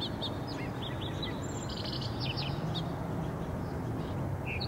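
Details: Purple-throated carib (Eulampis jugularis), a hummingbird, recorded 18 June 2015, giving sharp, high chips in quick irregular bursts over a steady low rumble of wind or distant noise.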